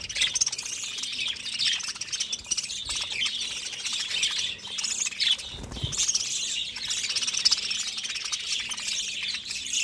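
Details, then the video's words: Continuous budgie flock chatter: busy high twittering, chirps and squeaky warbles overlapping without pause, with one short low rumble midway. "BUDGIES Chirping Sounds"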